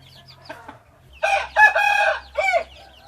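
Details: Hybrid junglefowl rooster gives a full crow in three loud harmonic segments, the middle one the longest and strongest. Soft chirps from other birds come before it.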